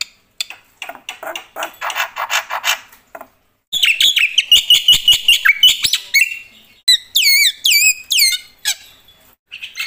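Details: Varied black-winged myna song meant to set other mynas singing: soft scratchy chatter, then a burst of quick whistled and clicking notes, followed by a series of sharp downslurred whistles.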